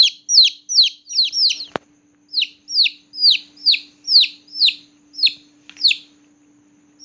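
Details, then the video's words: Newborn chicken chicks chirping at night, quick falling peeps in an uneven run, a sharp click near two seconds followed by a short pause, then spaced peeps resume over a low hum. "Chicks Chirping Sound || Chicks Chirping Loudly || Chicks Chirping a lot"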